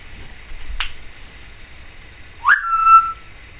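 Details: Pet female Timneh African grey parrot indoors, a sharp click followed by a clear upward-swept whistle that levels into a steady high tone.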